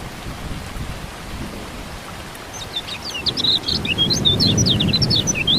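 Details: Lemon-bellied white-eye song mixed with rain for coaxing quiet birds into song: after rain and rumbling, a quick, high-pitched twittering burst of sharp up-and-down notes begins midway and runs to the end.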